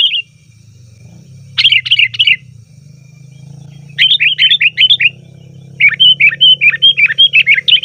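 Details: Lure calls of the sooty-headed bulbul, used to draw wild bulbuls in the forest: three bursts of fast, bubbling chirps that grow longer toward the end, with a steady low hum throughout.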